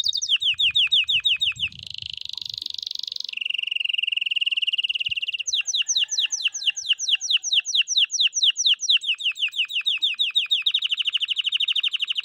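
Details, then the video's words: Singing canary meant to coax silent young canaries into song: a long, varied phrase of rapid trills, a buzzy stretch, a held lower tone, then more repeated trilled notes that shift in pitch, loud and continuous. "عندك فراخ كناري ساكت أسمعه هذا الصوت، دربه على الغناء"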